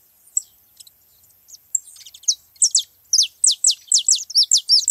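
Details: Free-living saffron finches gathered together. Sparse high chirps build into a fast run of loud, sharp notes, each sweeping downward, repeated about twice a second. No other clear sounds.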